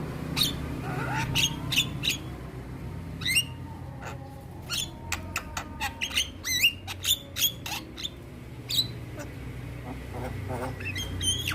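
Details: Black-winged starling, a captive bird singing lively and 'gacor' while bobbing its head: scattered sharp clicks, harsh squawks and short whistled notes, some rising, delivered in irregular bursts over a low steady hum.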